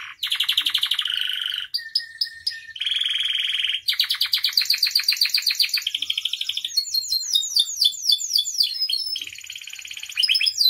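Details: Canary giving a long varied song, used as a tutor for other canaries: alternating fast buzzy rattles, a steady low whistle, pulsed trills at several pitches and a run of crisp slurred chirps, with little pause.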